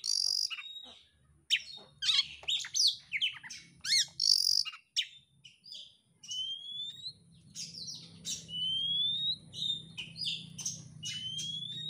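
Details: Oriental magpie-robin kept as a caged songbird, singing with tail spread: a long varied sequence of harsh chattering bursts and clear upslurred whistles repeated every second or so, with a steady low hum in the background.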